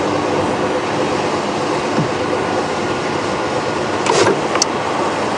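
Steady vehicle engine rumble with brief mechanical whirs and clicks, and no animal voices.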